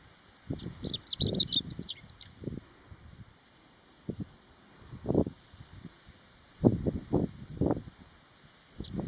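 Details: On the Utsukushigahara plateau in Nagano, Japan, on 15 June 2020, a chestnut-eared bunting sings in early summer sunshine with a cool breeze. A quick burst of high, twittering notes comes early, then gusty wind rumbles. One faint high note sounds at the end.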